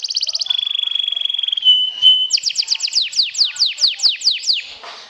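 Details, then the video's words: Canary in sobek style singing to overpower rivals: a quick trill, a long level pure whistle dropping slightly, then a string of about ten falling whistled notes. "SUARA KENARI SOBEK SOBEK JUARA NGETRIL TAKLUKAN LAWAN, PANCING EMOSI!!!"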